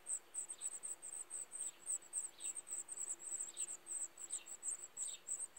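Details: Brood of black redstarts (Phoenicurus ochruros gibraltariensis) giving a continuous stream of very high, sharp chirps about three per second, joined now and then by lower, downward-sliding notes; faint background hiss.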